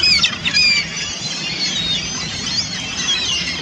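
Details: Ring-billed gulls feeding on abundant minnows by plunge-diving on Lake Simcoe, Barrie, Ontario, 11 December 2015; several birds give high, squealing, overlapping cries with brief rising and falling slurs over a constant background rush.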